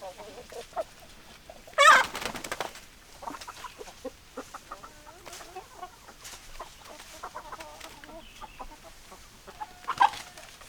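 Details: Hens clucking: scattered short, throaty clucks in irregular bursts, with one loud harsh squawk early on and quieter clucking continuing throughout.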